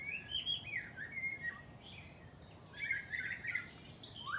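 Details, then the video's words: White-rumped shama singing rich, clear whistled phrases that slur up and down, with a brighter burst of warbled notes midway and a rising note at the end; faint background hiss. "White-Rumped Shama Bird Song"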